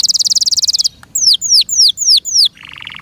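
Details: Canary, Serinus canaria, kept as a cage bird: a fast pulsing high trill, then five clear downslurred whistles in a row, ending with a lower rapid buzzy roll.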